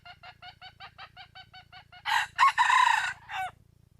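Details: Steady rapid clucking from a wild junglefowl, about three notes per second, breaks into a loud, ragged crow in several harsh segments, ending with a falling tail note; low hum in the background.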